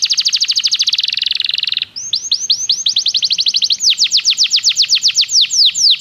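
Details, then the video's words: Belgian canary song used for training: a very rapid high trill for about two seconds, then a slower series of arched, rising-and-falling whistled notes repeated steadily, growing louder toward the end. "O canto do canário belga"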